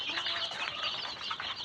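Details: Tiger chicken chicks at a poultry farm in Sirajganj Sadar, Bangladesh. Many chicks give thin, high peeping calls that overlap continuously, with a few brief wing flutters and soft rustling.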